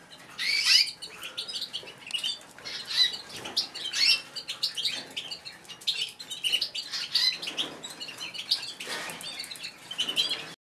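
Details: A white canary sings to court a female before breeding, a continuous high-pitched run of rapid rolling trills and sharp chirps with a few soft wing flutters.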